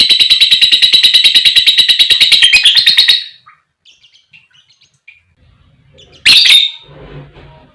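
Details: Lovebird giving long 'ngekek' calling song, used as a lure to trigger other lovebirds into singing: a fast, even run of sharp high chirps, about three per second for three seconds, then soft scattered notes and one loud harsh squawk.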